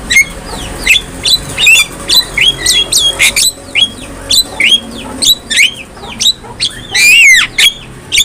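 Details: Javan myna (jalak kebo) tutor song for prompting other mynas to sing: a steady series of short bent whistles, roughly two or three per second, with a longer swooping squeal near the end.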